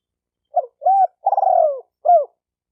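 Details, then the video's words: Spotted dove cooing used to stimulate decoy, male and female birds: a clipped note, a rounded coo, a long vibrating coo gliding down, and an ending downslurred coo, with nothing else audible. "Tiếng chim cu gáy kích bổi kích trống kích mái"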